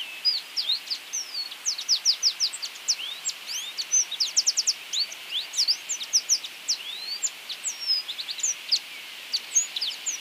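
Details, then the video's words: Drakensberg siskin song, from South Africa: continuous high, thin twittering of quick rising and falling notes with brief trills, steady throughout, above a constant hiss of background noise. "O canto do siskin de Drakensberg ( Crithagra Symonsi )"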